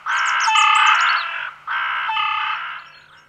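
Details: A rook in France gives two long, harsh, nasal caws, each over a second, separated by a brief pause. No other sounds stand out.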